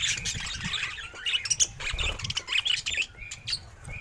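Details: Short burst from a happy pet budgie: scratchy squeaks and a few clear high pips over a low background rumble.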